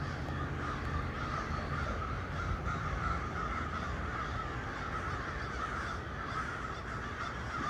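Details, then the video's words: Crows hanging out on trees and calling on 1 November 2022: a steady wash of overlapping hoarse caws from several birds. "Crows hanging out on the trees and making noise."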